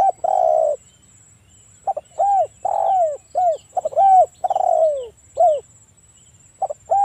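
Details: Spotted dove in breeding condition calling to provoke other doves: a long even coo, then after a pause a lively run of arched short notes and longer coos dropping in pitch, ending with a brief double note.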